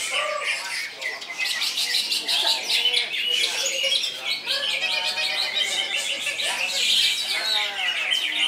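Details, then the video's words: Greater green leafbird (cucak ijo) singing nonstop and loud: a dense, fast run of high chattering, whistled and trilled notes with rapid repeated buzzy bursts, hardly a pause throughout. "Cucak Ijo"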